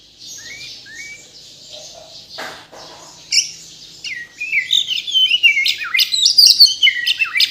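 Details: Caged white-rumped shama of Borneo origin, from Kalimantan, in full varied song: high sweeping whistles and rapid chirped phrases, building into loud repeated notes with sharp downslurs.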